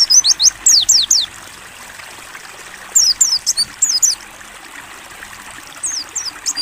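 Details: Mountain white-eye in ngalas buka paruh style on a training recording. Quick clusters of sharp, high, falling chirps are separated by quiet pauses of about one to two seconds. A soft water trickle runs throughout.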